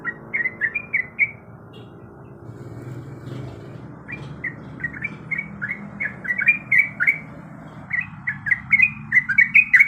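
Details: Yellow-vented bulbul female in breeding condition, calling the male: short bursts of quick, liquid chirps at the start, a quiet gap with low background rumble, then a denser, louder chattering run toward the end.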